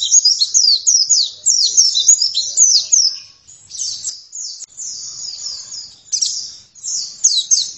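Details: Oriental white-eye in energetic song: a loud, fast jumble of high twittering notes, easing into softer trills midway before surging strongly again.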